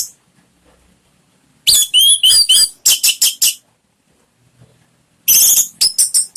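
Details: Orange-headed thrush lure song for encouraging a kept bird to sing: quick runs of sharp, slurred whistled notes repeated several times a second, grouped in two rapid bursts with a silent gap between.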